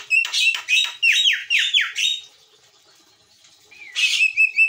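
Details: Javan myna of the white-eyed type in active song for a training master recording. A fast run of loud, steeply falling whistled sweeps, a short pause, then a harsh rasping burst followed by level whistled notes.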